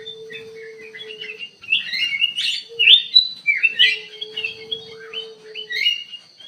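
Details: Ruby-throated bulbul in full song in an aviary: a quiet start, then loud rising and falling whistled chirps in quick bursts, with a steady low tone in the background.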